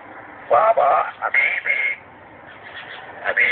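A parrot talks in a string of quick, word-like syllables for about a second and a half, pauses, then starts another short phrase. No other clear sounds.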